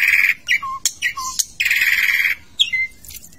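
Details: Asian pied starling in a bathing cage, singing a varied repertoire: harsh, grating squawks mixed with short low whistles, then a long buzzy chatter and a brief clear whistle.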